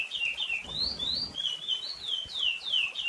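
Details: Chestnut-bellied seed finch (curió) delivering a short burst of drawn-out whistles that slide downward and upward, with a soft low thud near the start.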